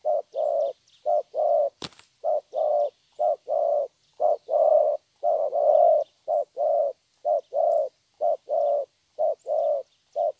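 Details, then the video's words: Spotted dove, a young wild-caught bird from Vietnam, giving 'thổ' style song: a long run of mellow coo pairs, each a brief note followed by a drawn-out one, steady for ten seconds, one sharp click near the start. "Thổ tốt tiếng.(chim tơ)"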